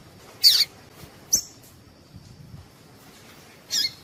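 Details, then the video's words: Female Double-collared seedeater call, used to stimulate males to sing: a loud raspy high chirp, a sharp short chip, then another raspy note after a pause, with quiet hiss. "Piado de fêmea coleiro tui tui"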